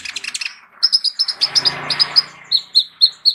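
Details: Kolibri ninja sunbird with a full fill of mimicked phrases, used to tutor other songbirds: a rapid chattering series, then evenly spaced high piercing notes repeated about five times a second.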